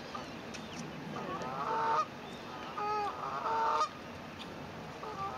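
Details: Swans with newly hatched cygnets, phone-recorded 9 May 2024: three loud, drawn-out nasal honks in close succession, each around half a second, then a quieter one after a pause, over faint hiss.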